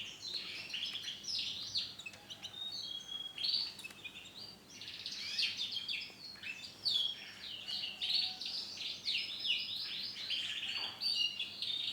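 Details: Male canary of the orange-black variety singing a long, fast, continuous warble of high trills, chirps and twittering phrases, steady throughout, over faint background hiss.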